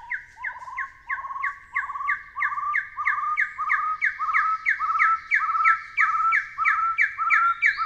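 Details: Taiwan hill partridge in Taiwan repeating paired notes, a high short note plus a trilled, rising lower whistle, evenly spaced and growing louder through the series.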